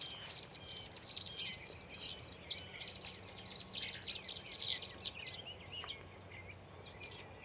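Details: Tree swallows, a nesting male and female pair, at Patuxent Research Refuge South Tract, Laurel, Maryland, on 14 April 2024: rapid, high, chirpy twittering notes, overlapping and irregular, with brief liquid gurgles throughout and a faint low hum beneath.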